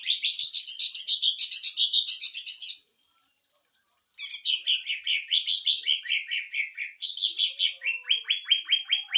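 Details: Greater green leafbird singing 'tembakan mesin jahit' (sewing-machine burst) phrases to train and provoke other birds: rapid buzzy trills, a pause, then renewed stuttering bursts ending in evenly spaced downslurred notes.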